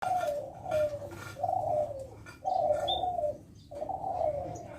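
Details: Captive spotted dove (derkuku) from a bird farm in Sidoarjo, East Java, Indonesia, a colour-variant bird of the seven-note 'kuk 7' style. Four low, hoarse coos, each sliding slightly downward, come about every second over a steady background hum.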